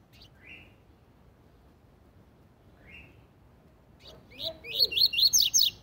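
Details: Double-collared seedeater in the "tui tui zel zel" tutoring song. Two soft, widely spaced rising notes lead into a loud, rapid phrase of bright upslurred whistles and high downward sweeps.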